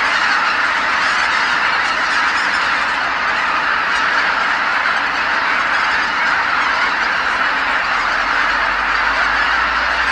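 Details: At Kabukuri-numa marsh after sunset, a vast flock of geese numbering in the tens of thousands flies back from feeding grounds, all calling at once; a steady roar of countless overlapping nasal honks continues without pause.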